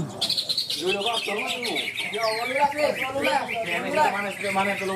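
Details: Greater green leafbird, best-placed winner at a songbird contest in Malinau, North Kalimantan, sings a fast, rich stream of varied whistles and chattering trills over a busy background of other birds and human voices.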